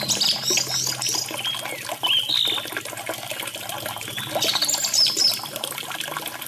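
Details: Orange-headed thrush song set against trickling running water, meant as therapy for birds that have stopped singing; varied whistled and warbled phrases, some rising, come in short bursts over the steady splash and gurgle of water.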